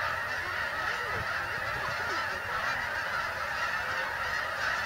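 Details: A large flock of migrating geese coming in to Bombay Hook National Wildlife Refuge, Delaware, USA: countless honks blend into a continuous, roaring din that stays even in loudness from start to finish.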